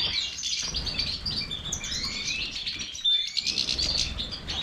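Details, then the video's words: Goldfinch of the Major form pouring out a fast, high-pitched twittering song with trills and short pure whistles, one sharp louder note around the third second. "Stieglitz Major -Goldfinch طائر الحسون الرائد"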